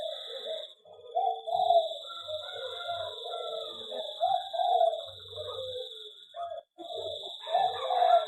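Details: Zebra dove in an aviary sings a long run of overlapping, rippling trilled coos, with a high continuous whine and occasional low knocks in the background.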